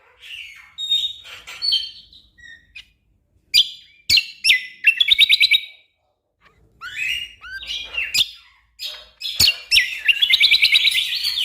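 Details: Tutor recording of an orange-spotted bulbul in full, rapid-fire song for training contest birds: quick bright whistled notes, sharp ticks and rattling trilled bursts in irregular phrases with short gaps, clean and without background noise.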